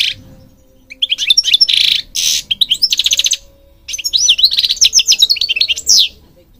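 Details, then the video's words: European goldfinch song in bursts separated by short silences, mixing harsh buzzy notes with fast liquid, tinkling trills and sweeping whistled slurs. "Singing Goldfinch King goldfinch singing"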